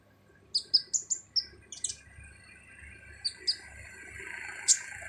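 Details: Sunbird (kolibri ninja) harsh-voiced song used as a master recording for training other birds: a quick run of sharp, high chirps, then scattered short chirps and a final bright note over faint background hiss.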